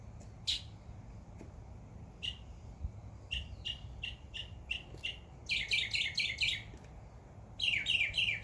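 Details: Birds chirping in a backyard in summer: scattered sharp ticking notes building into dense rapid chattering series toward the end.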